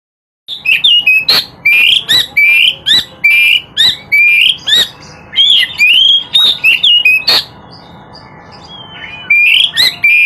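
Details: Oriental magpie-robin in full song: loud, varied whistled notes, some slurred upward, some sharp and clipped, delivered in quick succession for most of ten seconds with only a brief pause.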